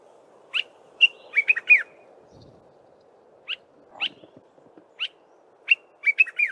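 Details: Dark-capped bulbul singing in the early morning: short bright whistled notes and rapid liquid phrases, some dipping and rising, given in scattered bursts over a steady low background hum.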